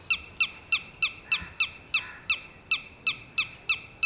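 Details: Red-wattled Lapwing, or titehri, parent calling to a newly hatched chick and ordering it to run, duck and hide. Sharp, harsh notes that fall slightly in pitch, repeated about three times a second, twelve calls in a steady series.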